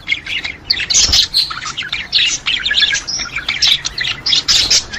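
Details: Budgerigars in dense, continuous warbling chatter meant to stimulate other budgies: many overlapping chirps, squeaks and trills packed high in pitch, with brief louder bursts around the first second and no pause throughout.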